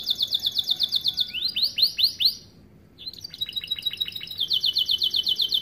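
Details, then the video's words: Starblue canary giving a varied master song for training young birds: dense rolling trills, a few slow upswept whistles, a brief silent gap, then resumed rapid high rattling trills. "Kenari AF warna starblue gacor lagu unik mewah untuk masteran kenari paud"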